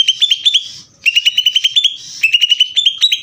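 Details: Greater green leafbird in ngeder song, giving three bursts of rapid, evenly spaced sharp notes with ringing overtones, each burst lasting about a second and separated by short pauses.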